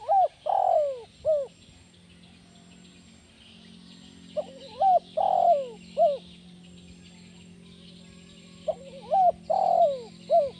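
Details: Spotted dove in full voice, a 'kuk 1' style call used as a lure to draw and train other doves: three mellow coo phrases about four seconds apart, each of short hooked rising notes around one long, slightly falling coo.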